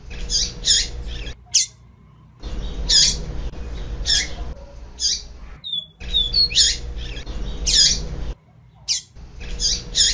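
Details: Female double-collared seedeater calls, used to stir up and excite a male: harsh, high buzzy notes in quick pairs and short bursts, with a few thin whistles, over a low steady hum.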